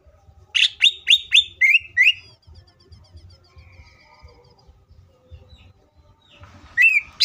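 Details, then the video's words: Green leafbird singing as a lure for other leafbirds: five bright, sharply repeated whistled notes sliding downward, a thin fast trill trailing off, quiet low background hum, and a final loud whistle at the end. "CUCAK IJO FULL ISIAN PALING MEWAHH❗AMPUH BUAT PANCINGAN IJO AGAR CEPAT BUNYI DAN EMOSI!"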